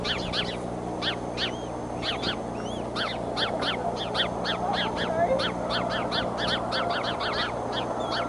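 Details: Nesting eagles at Decorah, 30 March 2015, with two eaglets and their mother; a busy run of sharp, high chattering chirps repeated throughout, some notes sliding, over constant low hum and wind-like noise.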